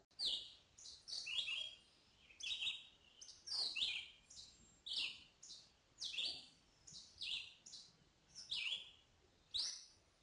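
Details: Red-eyed Vireo singing in mature Ozark forest in spring, a persistent singer: short, high, slurred phrases that rise and fall, one roughly every second with brief pauses, like questions and answers.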